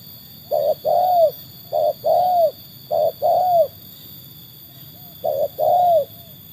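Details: Spotted Dove, a trained bird tested by wild birds, giving four clear two-part coos, a short note and a longer falling one, each phrase about a second apart, over quiet low rumble.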